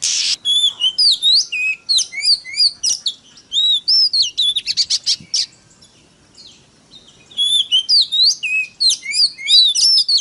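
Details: Oriental magpie-robin (kacer) lure song to excite rival magpie-robins: crisp, repeated hooked whistles in quick rhythmic series, a quiet gap of about two seconds, then the lively whistling resumes.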